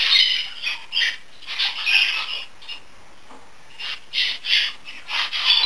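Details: A hand-tame grey male budgerigar gives harsh, scratchy chirps and squawks in short bursts, roughly two or three a second, with brief quiet gaps between them.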